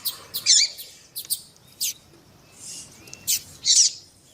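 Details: Double-collared seedeater (Sporophila caerulescens), male song with a female calling to stimulate the male to sing: high, sharp chirps and buzzy twittered bursts separated by brief pauses over about four seconds.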